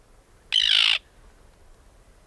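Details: Arctic tern giving a single harsh, grating call about half a second long, with quiet background.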